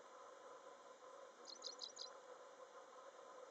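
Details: Possible tawny pipit (Anthus campestris), grassland at Ponmudi, southern Western Ghats, March 2011, a winter visitor there: four quick, high, chirpy notes in a little over half a second over background hiss and faint insect-like drone.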